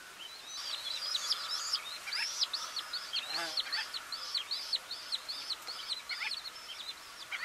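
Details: Gull-billed terns in the Camargue, France, in August 2019, give rapid, overlapping, high nasal call notes, with several birds chattering at once in a steady stream.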